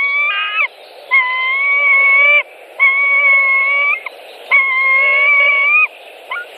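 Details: White-tailed eagles feeding chicks with fish at a nest in Latvia, 23 May 2018; four long, even, whistled piping notes, each slightly rising and ending abruptly, spaced about every second and a half.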